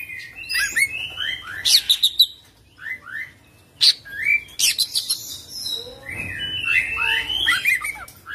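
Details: Rolling 'full isian' song of an Oriental magpie-robin: clusters of sweeping whistled slurs and sharp clicky notes, some phrases quieter, separated by short gaps, over a faint low hum.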